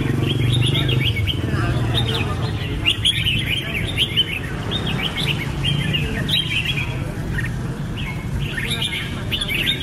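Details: Red-whiskered bulbul singing: a run of short, bright, warbled phrases of quick rising and falling whistled notes, packed closely together over a steady low rumble.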